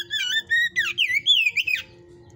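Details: Oriental magpie-robin, hot type, singing in a breeder's cage: rich whistled phrases that swoop up and down in quick linked notes, ending in a descending slur, with a faint low hum behind.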